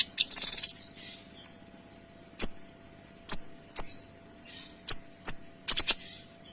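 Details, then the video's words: Kinoy producing clear tembakan notes: an opening rapid trill, then single sharp high chips spaced irregularly, some doubled or tripled near the end. "Suara Kinoy Gacor Tembakan Rapat dan Jernih"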